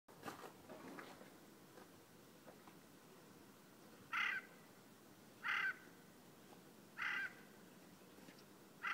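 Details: A Eurasian jay (Garrulus glandarius) gives four harsh, rasping screeches, each about a quarter-second long, spaced roughly a second and a half apart, over quiet background noise.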